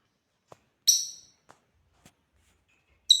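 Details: African lovebirds at play: one loud, shrill, sharply descending chirp near the start, a few faint clicks, and a second piercing chirp cut off at the very end.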